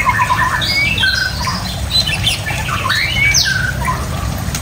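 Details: White-rumped shama song made of scattered whistles, squeaks and upward sweeps, fairly soft against a steady low hum.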